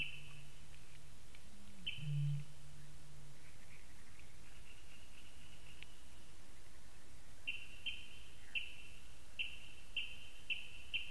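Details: Eurasian bittern recorded on a May evening in Latvia, 2015: one brief, very low booming note early on, followed by near quiet, then a run of high, sharp ticks from another caller toward the end.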